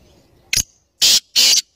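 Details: Black francolin, known locally as kala teetar, giving a harsh, grating call: one short clipped note, a pause, then two longer rasping notes in quick succession. Faint background noise comes before the call.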